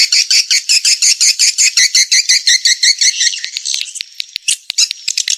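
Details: Swiftlet lure call used to draw swiftlets into a swiftlet house: a dense run of sharp, high chirps repeated almost three times a second, steady at first, then breaking into scattered clicks and ticks.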